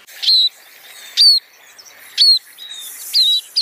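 Scaly-breasted munia giving short, high, slightly descending whistled notes, roughly one a second, against a quiet background.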